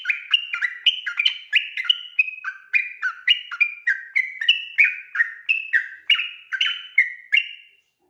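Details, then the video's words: Sooty-headed bulbul in 'ropel' night song for training other birds: about twenty-two bright whistled notes rolling steadily, each dropping in pitch, alternating high and low phrases at a lively, even pace. "burung trucukan ropel ngotot dimalam hari"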